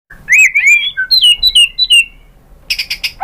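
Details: White-rumped shama song meant to make other shamas answer: clear whistled slurs rising and falling between phrases, a run of bright descending notes, then a burst of harsh buzzy rattling notes at the end.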